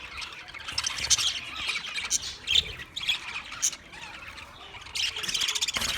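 An English budgie chatters in quick, scratchy chirps and squawks, coming in uneven bursts.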